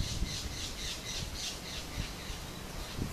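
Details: Plain parakeets eating from Pseudobombax grandiflorum pods give harsh, grating squawks, about three per second in a steady run. Low rustling sounds underneath.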